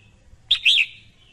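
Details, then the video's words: One call from a female red-whiskered bulbul: a bright click, then a brief warbled note that bends up and down before fading into a thin trailing tone. A quiet low hum sits underneath. "CHÀO MÀO MÁI"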